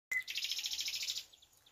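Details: A common nightingale, recorded in nature, gives a brief high whistle, then a fast, rattling trill of about sixteen sharp notes in a second that quickly fades.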